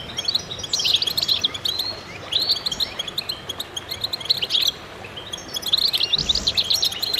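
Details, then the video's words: Goldfinches singing in concert, with bursts of rapid, jangling twitters every second or two separated by quieter gaps and a brief low thump near the end. "voices a chorus of goldfinches in concert"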